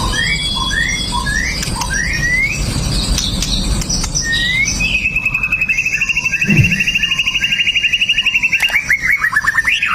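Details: Aggressive pastol white-rumped shama, a fighter with sharp 'shots', its song meant to goad other males; Xiaomi phone recording. Evenly spaced upslurred whistles, then a long, fast rattling trill that ends in a rising flourish.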